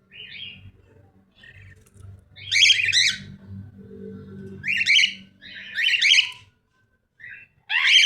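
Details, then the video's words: Cockatiel calling in a series of rough, scratchy chirps and squawks, some short and thin, others loud and broad, coming in clusters over several seconds above a steady low hum. "cockatiel sounds"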